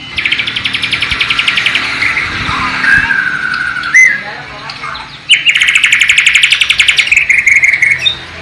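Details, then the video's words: Borneo white-rumped shama singing an imitation of the Sikatan londo flycatcher or nightingale, East Kalimantan, filmed on a low-resolution camera: a long rapid chattering trill, lower whistled slurs, a sharp click, then a second fast trill series. "MURAI BATU BORNEO ISIAN " SIKATAN LONDO / NIGHTINGALE ""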